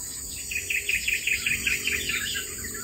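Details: Long-tailed shrike nestlings, four babies in the nest, giving a quick run of about nine short, slightly buzzy chirps spaced roughly a fifth of a second apart, over a steady high-pitched insect drone.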